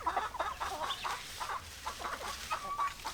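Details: Hens clucking in a flock: regular short clucks about every third of a second, a thin whistled note near the end, low steady hum behind.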